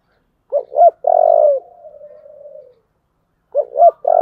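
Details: 'Giọng thổ' style cooing of a spotted dove used to provoke fighting: two short looping notes and a long rough coo fading into a drawn-out tail, then the next phrase starting after a pause.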